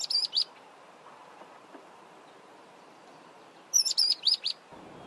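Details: In Zambia, a mousebird gives two short bursts of thin, high chirping calls, three or four quick notes each, about three seconds apart, against a quiet background.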